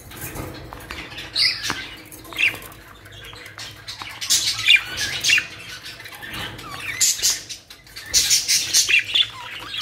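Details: Captive budgerigars, Australian parrots in a Pakistani collection, chatter in scratchy, high bursts of chirps and squawks that come in clusters every couple of seconds, with quieter gaps and light rustling between.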